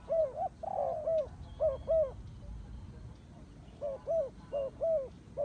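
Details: Turtle dove cooing in bursts: paired soft hooting notes, one longer blurred coo early on, then a quiet gap before another series of double coos resumes.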